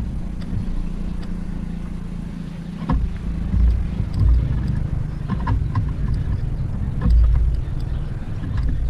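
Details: Heavy low wind rumble and a steady hum with a few faint scattered clicks, and no animal voice standing out.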